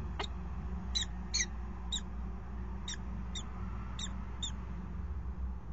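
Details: Peregrine falcons mating on a water tower ledge in Axel on 5 February 2018: a run of about eight short, high, clipped notes, roughly two per second, over constant low humming.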